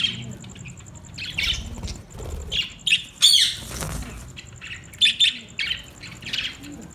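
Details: Scattered budgie calls: a few rough squawks and sharp squeaky notes separated by quiet gaps, with a faint steady high ticking in the background.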